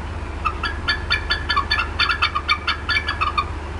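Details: At the Decorah North nest on 18 April 2016, 4:23 PM CDT, the adult female bald eagle clucks while agitated: a fast, even series of thin chirping notes about four to five per second.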